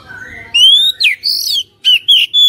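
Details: Oriental magpie-robin song for prompting a caged bird: a long rising pure whistle, then a rasping high phrase and a few short bright whistled notes.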